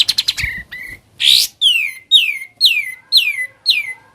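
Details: Sooty-headed bulbul singing ngebren style: a quick stuttering burst and a harsh rasp, then a steady series of six clear whistles, each dropping sharply in pitch, spaced roughly half a second apart.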